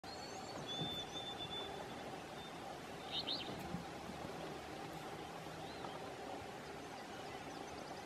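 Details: Alder flycatcher at Umbagog National Wildlife Refuge, Oxford County, Maine, on 18 June 2016, gives a brief, high two-note call about midway through, over a steady wash of background noise and a faint thin whistle from another bird.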